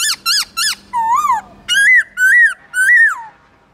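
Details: Multi-voiced forest-style song of a Black-throated laughingthrush, played to rouse other caged birds: three quick arched notes, a long wavering slur, then three clear rising-and-falling whistles.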